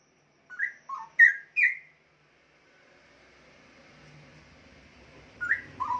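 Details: Straw-headed bulbul, a young caged bird about one year old that sings on both high and low perches: four quick rich whistled notes, a quiet gap with faint room hum, then two more notes.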